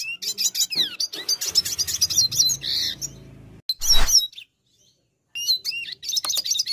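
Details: Red siskin of the brown dilute colour form singing vigorously (gacor): bursts of high, twittering chirps and short whistled notes, broken by brief silences, with a low rumbling noise underneath and a loud scratchy burst midway.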